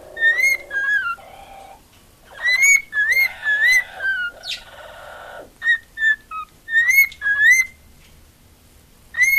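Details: Female pet cockatiel that loves attention, singing indoors: clear whistled notes near one pitch, some rising and falling slides, in short phrases separated by brief pauses, with a few softer chattering and buzzy notes between.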